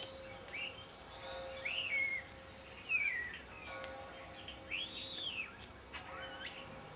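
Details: Common starling song, a rambling, irregular potpourri with imitations rather than a fixed song: slurred whistles, rising and falling notes and sharp clicks, with irregular pauses over a faint steady hum.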